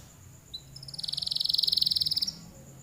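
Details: Canary singing in a long, lively song: a quick, even trill of high notes, building then stopping after about a second and a half, over faint low background noise.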